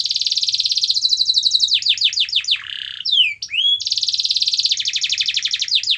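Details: Canary song played to get a quiet canary singing: a long rapid high trill, a run of falling sweeps, a short buzzy patch and twisting whistles, then the fast trill resumes.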